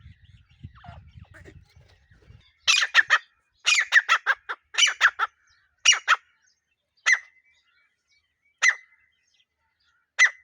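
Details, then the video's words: Desi teetar calling: a quick run of scratchy squawks after some low background rumble, then single clipped notes spaced more than a second apart. "Teetar ki voice | desi teetar sound| Partridge sound"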